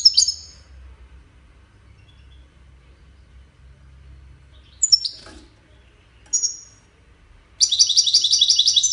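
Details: European goldfinch of the Wiydani type, Salé, with scattered short high chirps and whistled notes separated by quiet gaps, then breaking into a fast, steady, buzzy trill of repeated bright notes.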